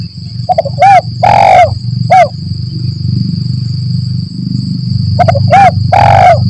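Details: Spotted dove call in the 'Kuk 1 Mersik' style, played as a trapping lure: a brief stutter, a short coo, a drawn-out loud coo and a closing coo, given twice, over a low rumbling background and a constant high whine.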